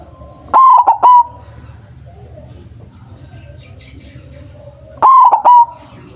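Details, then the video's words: White zebra dove, big-voiced bird used to lure and trap doves; two loud three-note coo phrases about four and a half seconds apart over quiet low background noise. "Perkutut putih suara besar sangat ampuh buat pancingan, malas bunyi langsung nyaut"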